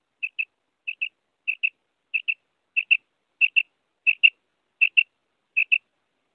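A female quail gives high, clear paired notes, a quick double 'whit-whit', repeated about every three-quarters of a second in a steady series; nothing else is heard.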